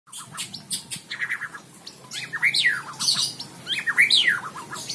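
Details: White-rumped shama singing a varied phrase of sweeping whistled notes, rising and falling slurs between mid and high pitch, mixed with short chirps and harsher clicks, in a small indoor room.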